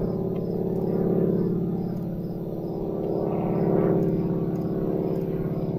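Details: Loud droning ambient music with gong-like tones swells and fades; no animal sound is heard.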